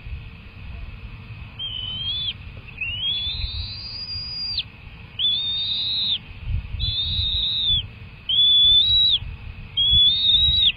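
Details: Bald eagle eaglets in a wild nest during a feeding session, giving thin, high whistled calls, some level and some rising or dipping, in a series of about six notes each lasting half a second to a second, over a low, steady rumble.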